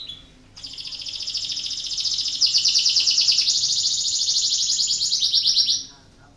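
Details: Breeding-condition canary singing as a lure to get other canaries to join in: a brief note, then one sustained high, rapidly pulsed rolling trill lasting about five seconds, growing stronger midway before stopping abruptly.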